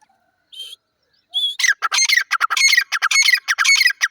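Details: Grey francolin, called dakhni teetar, calling. After a few separate squawked notes comes a fast run of harsh, grating, repeated phrases, roughly two per second, loud and rhythmic.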